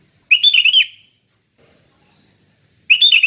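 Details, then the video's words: Sooty-headed bulbul giving relaxed open 'ngeplong' song for training other bulbuls: a bright bubbling phrase of rapid wavering notes, then silence, and a second matching phrase starting near the end. "Kicau Kutilang Ngeplong Santai"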